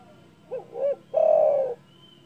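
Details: Loud call of a spotted dove, meant to provoke rival birds: a single phrase of two brief coos, then a sustained hoarse coo lasting over half a second, over faint low background hum.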